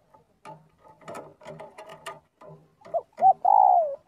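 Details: Spotted dove calling the flock during daily practice. Scratchy, clattering sounds come first, then two quick rising coos and a long falling coo end the passage.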